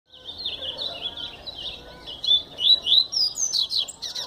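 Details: Double-collared seedeater song: a fast, continuous run of high, twittering notes. Sharper, louder slurred whistles follow in the second half, with faint background noise.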